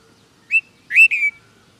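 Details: Red-vented bulbul from India giving clear whistled call notes: a single short chirp, then two loud linked whistles, the second held level and fading. Near-silent background.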